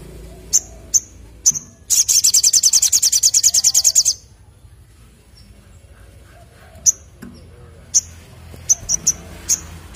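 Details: Crimson sunbird in lively ngleper ngalas song: scattered piercing chips, a dense two-second burst of rapid high trilled notes, then more spaced single chips after a pause.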